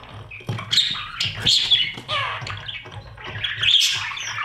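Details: Budgerigar chicks begging in a nest box while parents feed them; repeated harsh, buzzy squawks every half second or so over a low background hum.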